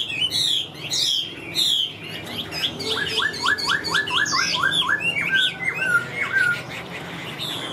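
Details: Caged Chinese hwamei singing energetically: fast jumbled high notes at first, then a neat series of about eight quick rising whistles repeated rhythmically, trailing into varied slurred phrases.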